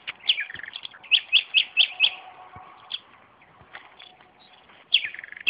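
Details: Nightingale singing beside tomatoes in a garden: a series of five loud, evenly spaced repeated notes, then a quieter gap and further sharp notes, clear against a quiet background.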